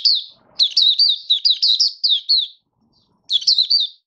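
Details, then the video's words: Malaysian Oriental white-eye, a hobby bird not yet in form, giving its opening song: a quick run of high, sweet, slurred whistled notes for two seconds, a short pause, then another burst of warbling. "Malaysian Mata Puteh - Buka Sing"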